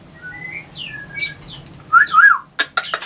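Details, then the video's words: Captive white-rumped shama at a bird farm in Anyer, Banten, Indonesia, singing to provoke rival birds: soft sliding whistles, then a louder warbled phrase, ending in sharp clicking sounds. "SUARA MURAI BATU INI, BIKIN LAWANNYA LANGSUNG BEREAKSI"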